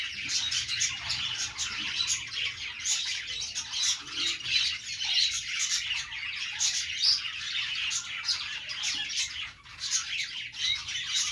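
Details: A group of budgerigars warbling on a perch, nonstop scratchy chatter laced with sharp chirps and squawks, dipping briefly in volume near the end.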